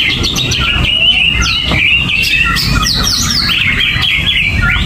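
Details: Greater green leafbird, uncovered in its cage and not fed banana, singing gerabakan: clear steady whistled tone broken by sharp downward-slurred chirps and squeaky notes, steady low noise behind.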